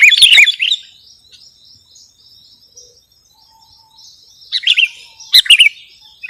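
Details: Sooty-headed bulbul, recorded as a lure and masteran tutor sound: a quick cluster of bright chirps, a long near-silent gap with faint thin tones, then more lively chirped bursts after four and a half seconds.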